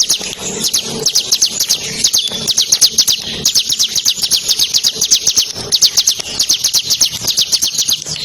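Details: Ciblek Kristal bar-winged prinia in the nembak ngebren manner, meant to stimulate champion songbirds: sustained, highly rapid, sharp, high-pitched notes, about four per second, over eight seconds with barely a gap.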